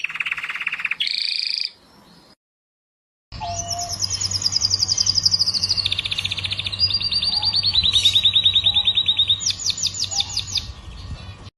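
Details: Morning song of a canary: fast rolling trills at changing pitches, a brief silence, then long rattling tours that drop step by step before ending in a rapid high buzzing trill.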